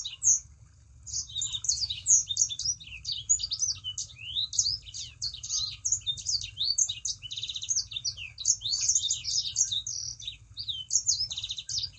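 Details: Sustained high, scratchy twittering from a Sangihe shrike-thrush, packed with quick chirps and slurred squeaks after a brief quiet start, used as a lure so other birds of its kind begin singing; low hum underneath.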